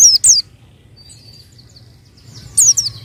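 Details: White-eye song for luring: two quick high descending whistled notes at the start, a quiet stretch with faint thin whistles, then another pair of sharp falling notes near the end over a low hum.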